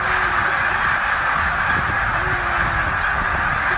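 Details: A huge migrating flock of Snow geese, about 100,000 birds, at Middle Creek wildlife refuge on the way north to breeding grounds. Their calls merge into a dense, continuous roaring chatter with no single voice standing out.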